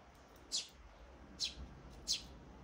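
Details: Sparrow chicks recorded on 23 May 2024, giving three short, high, sharp cheeps spaced well apart over a faint low hum.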